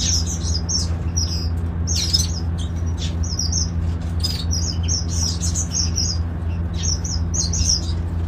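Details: A breeding colony of golden finches in a garden aviary keeps up rapid, high tweets in short bursts about every half second, with a few harsher notes, above a steady low mechanical hum.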